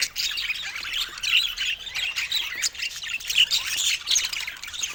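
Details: Young budgerigar chick's first vocalizing: continuous high chattering with raspy squawks and thin rising chirps, no pauses.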